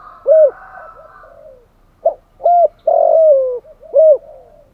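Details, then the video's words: Spotted dove lure cooing: a faint, low background warble, then a phrase of short arched coos and one long, drooping note, all hollow and mellow. "Tiếng chim cu gáy kích bổi[ thúc gù. gáy gọi, đủ bài] cu cườm thúc gù"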